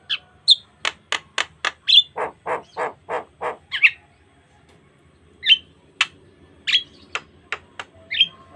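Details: Jalak kebo, Javan myna, singing in gacor full-variation style for a lure recording: a fast series of sharp clicks, then several buzzy pulses, followed after a pause by scattered high whistles and ticks.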